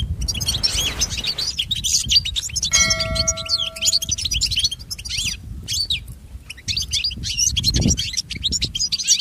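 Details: European goldfinch song for pet training: fast twittering and chattering phrases throughout, while a clear ringing chime-like tone sounds briefly near the three-second mark against low background noise.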